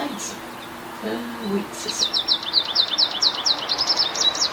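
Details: American Goldfinch singing in an apple tree in the morning sun: after a brief low murmur, a lively run of rapid, high, sweet twittering notes, several per second, continues to the end.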